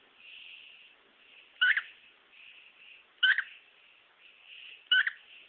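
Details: Pet male cockatiel showing off part of his repertoire: three short, bright two-note whistles spaced about every second and a half, with softer warbling chatter between them.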